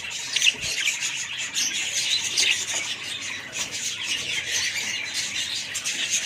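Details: Budgerigars kept as a family group, many birds chattering at once in a dense, continuous wash of high chirps and scratchy squawks, with a few brighter whistled notes standing out near the start.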